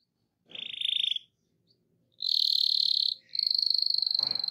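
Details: Rolling canary song to encourage other canaries to sing, heard as separate buzzy trills at a high pitch with short gaps between them and a faint low rustle.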